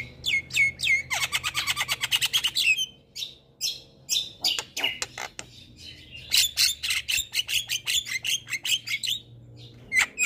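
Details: Javan myna training song for birds that sing little: a fast trilled rattle of chirps, then scattered sharp notes and another chattering burst.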